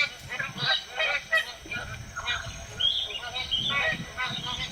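Magpie goose giving a run of loud, nasal honks, several a second, with other geese calling over each other and some background murmur.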